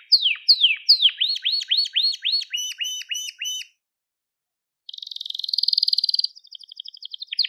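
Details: Crested Gloster canary singing a tour of repeated falling whistles that shift into faster upswept notes, a short silence, then a loud, fast, buzzy trill and a rattling roll.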